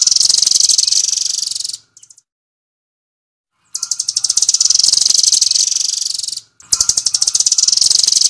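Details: Rambatan (velvet-fronted nuthatch) firing off its rapid 'nembak' delivery: long runs of sharp, high pulses in a steady rattle, broken by a two-second silence and a brief pause before the final burst.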